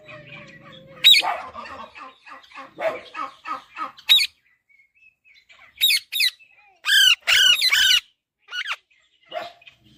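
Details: Baby Alexandrine parakeet uttering soft, rapid chattering notes, then loud, harsh, harmonic squawks in short groups, with a low hum early on and quiet gaps between bursts.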